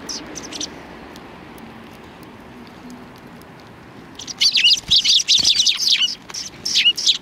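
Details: Sparrows gathering to welcome someone outside a cultural hall on 7 February 2020. After four quiet seconds with faint scattered chirps, a dense burst of high, overlapping chirps breaks out, then pauses and resumes near the end.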